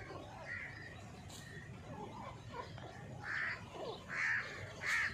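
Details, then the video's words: Grey francolin calling: faint, scattered notes early on, then three loud, harsh, ringing notes in quick succession near the end, about one every 0.8 seconds, over low background noise. "Dhakni teetar voice|teetar sound|teetar ki boli|teetar ki awaz|gora teetar voice"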